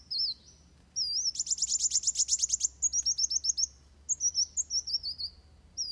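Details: Van Hasselt's sunbird singing its fighting song for tutoring birds: a fast burst of sharp, high ticking notes, then a rapid stuttering trill of metallic chips, followed by looping whistled phrases.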